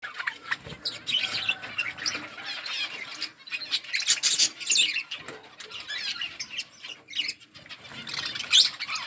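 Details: Budgerigars chirping in a budgie colony: a dense, continuous chatter of high twittering and warbling notes from many birds at once, with scratchy squawks and occasional wing flutters.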